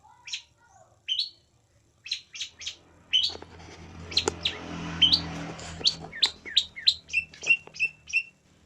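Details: Long-tailed shrike singing a varied song of short, sharp notes: scattered chirps at first, then a faster run of clipped, harsh and whistled syllables repeated about twice a second, over a faint low hum.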